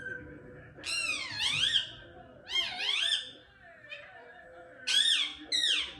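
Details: Pet Indian ringneck parrot talking: loud squawky, speech-like phrases in swooping high bursts, four separate utterances with brief pauses, indoors.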